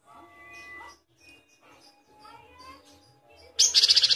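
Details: A great tit, used as a master recording to train songbirds, gives soft, scattered high notes and steady tones, then a loud, rapid burst of about eight sharp, ringing high-pitched notes in half a second at the end.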